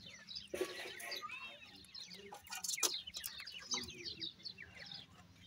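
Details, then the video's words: Grey francolin chicks fighting, from India: dense, irregular bursts of high, thin chirps and rapid down-slurred squeaks overlapping one another throughout, with low background hum. "indian gora teetar chicks voice"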